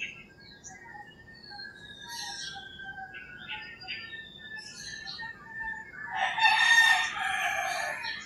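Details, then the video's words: Rural Philippine morning: scattered whistles and chirps of small birds, then a rooster's harsh crow bursts in near the end, lasting about two seconds. "Crowing Roosters and Singing Birds"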